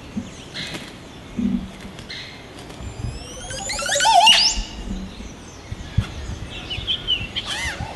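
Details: Nesting oropendolas behind a house in Sabanilla, San José, Costa Rica, 8 April 2017: a brief liquid, gurgling burst of sweeping notes midway, with scattered chirps, wing rustle and light outdoor noise.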